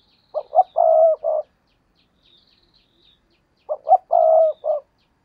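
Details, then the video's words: Decoy spotted dove, used to lure wild doves, delivers two identical coo phrases about three seconds apart, each made of two quick notes, a long level croon and a clipped final coo. "tiếng cu gáy mồi cây thúc rút bổi căng lửa"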